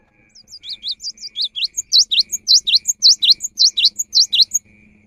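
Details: Cinereous tit singing in the afternoon, prompting nearby tits to sing too: soft, uneven high notes build into a loud, regular series of about nine sharp, swooping two-part notes before stopping.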